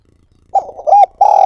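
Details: Spotted dove decoy bird giving its calling coo, recorded directly for training other decoy birds: three loud, low, hollow cooing notes in quick succession, the second swelling and the last held long and cut off, in a quiet room.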